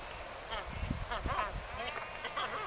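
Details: Waved albatross performing its courtship ritual at Punta Suarez on Española, Galapagos: nasal, honking calls with wavering tones, several short notes within three seconds, over low wind rumble.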